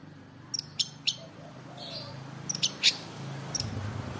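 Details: Long-tailed shrike singing actively in the afternoon: sparse, sharp high chirps and short clicks, some in quick pairs, scattered over four seconds above a low background hum.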